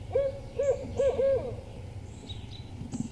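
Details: Male Barred Owl at a nest in Eastern Massachusetts, late afternoon in near-freezing weather while the female left the egg; four short arched hoots in quick succession, each low and slightly rising then falling, with faint higher chirps behind.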